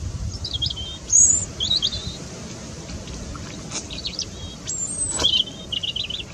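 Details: European robin singing in winter sun at Stodmarsh Nature Reserve: thin, high, silvery phrases of warbles and trills, each brief and varied, over a low background rumble.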